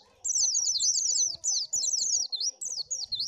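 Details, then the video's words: Oriental white-eye song for luring birds: a rapid, sustained stream of high, wavering, slurred twittering notes, with only momentary breaks. "SUARA BURUNG PLECI AMPUH !!!"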